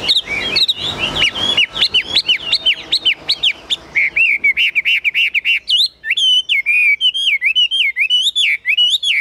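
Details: Caged Chinese hwamei from Vietnam in loud, high song: rapid chattering notes give way to a long string of rich, looping whistles repeated quickly and steadily without pause.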